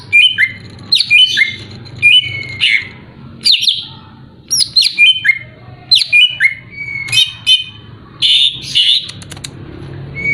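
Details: Greater green leafbird singing to provoke a rival: a continuous run of varied whistled phrases, downslurs, short chatters and mimicking notes, loud and lively throughout.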